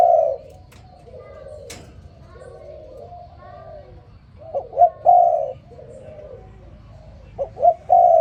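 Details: Spotted dove calling in the morning: soft low coos, then two short quick rising notes and a louder, longer steady coo. The phrase repeats, and fainter doves coo in the background.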